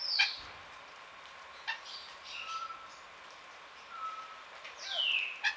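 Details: A sun conure in a garden aviary in Pelhřimov, Czechia, on a rainy November morning (6 Nov 2017) gives harsh, screechy falling shrieks opening and closing the clip, with thin whistles and soft chatter of other birds between.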